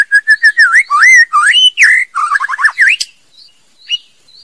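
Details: A female white-rumped shama gives quick, mid-pitched whistled notes, rising and falling in a lively, rhythmic three-second phrase. A quieter pause with a few faint high notes follows.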